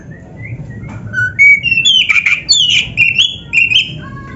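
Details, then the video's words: Song of an oriental magpie-robin, used to train caged birds: soft rising whistles build into loud, sweet, sliding whistled phrases with short buzzy notes mixed in. "SUARA MASTERAN BURUNG KACER GACOR ‼️ DENGAN FULL ISIAN MEWAH - SEKETIKA IKUT GACOR"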